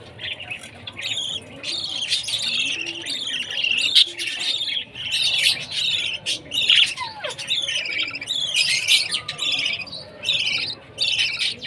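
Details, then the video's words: Budgerigar chick at food time calling almost continuously, a dense series of rasping, stacked high chirps repeated rapidly for over ten seconds, plus a brief falling whistle-like sweep midway and soft room noise. "Baby budgie's chirping sound, budgie parrot food time"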